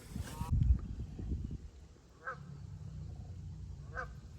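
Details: Two distant Canada goose honks, short nasal notes about two seconds apart, in a spring Wisconsin forest, over low rumbling handling noise and a brief burst of speech at the start.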